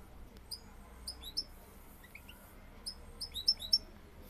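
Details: Male European goldfinch courting a female: sparse, sharp high tweets and brief tinkling notes, spaced irregularly and growing busier toward the end, over faint low hum.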